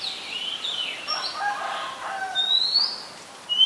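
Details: Oriental magpie-robin, a common resident bird of Ubon Ratchathani, Thailand, recorded 18 April 2022 on a Nikon P1000: sliding whistled phrases mixed with lower, softer warbling notes, ending in a sharp upward whistle.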